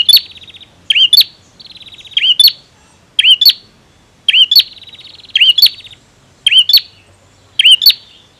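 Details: Male bar-winged prinia in full song: about seven loud, snapping double notes, each with a brief upward inflection, alternate with soft rapid ticking trills at a steady high pitch.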